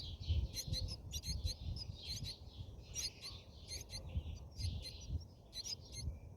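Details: Brahminy starling at its nest, recorded from inside during feeding; quiet high chirps and squeaks in irregular bursts sit above a steady low rumble.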